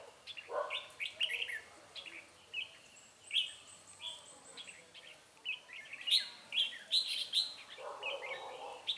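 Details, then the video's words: Wild red-whiskered bulbul being trapped with a decoy bird on 9 March 2020, described as restless and very fierce; bright chirpy warbled phrases around the middle register, several overlapping bursts, some lower rough notes and a faint thin whistle. "Bẫy chào mào Bổi HB nết lăng xăng cực gắt"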